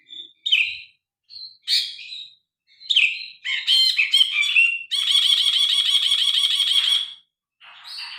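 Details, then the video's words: Grey-cheeked bulbul singing loudly for a bird-tutoring track recorded on a phone: several short bright phrases, then a chattering run leading into a harsh, buzzy rattle held for about two seconds, and a last fainter note. "Burung brinji kelabu gacor. Masteran burung.Suara burung brinji kelabu"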